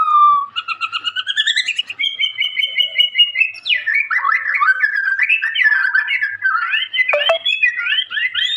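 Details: Young caged white-rumped shama in Indonesia, singing energetically: a rapid series of rising notes, steady repeated tones, then busy, tumbling, slurred warbles.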